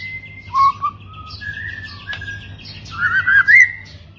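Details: White-rumped shama delivering varied whistled phrases: low pure notes, level higher whistles, then a warbling rising flourish, quiet hum in the background.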